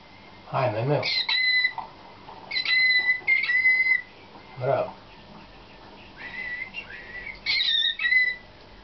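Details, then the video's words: A Slavujar canary, selected for competition and in training, sings clear whistled phrases, steady and rolling, in bursts of about a second with short pauses; two brief low voice-like sounds break in. "CANAR SLAVUJAR"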